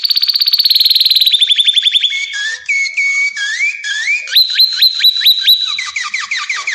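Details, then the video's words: Belgian canary with a rapid descending rolled trill, then slurred whistles, a run of quick repeated rising whistles, and a closing series of short falling notes. "Canto do canário Belga."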